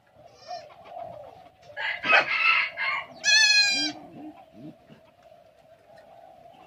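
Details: Red junglefowl from Aceh, kept for breeding, giving a short, harsh, harmonic crow burst with a raspier call just before it, over steady low background hum.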